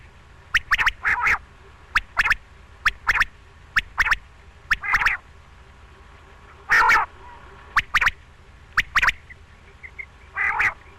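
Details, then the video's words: A quail calls in quick groups of sharp ticking notes, each followed by a short raspy burst, repeating roughly every second over a faint low hum. "Batair ki awaz batair awaz Quail sound"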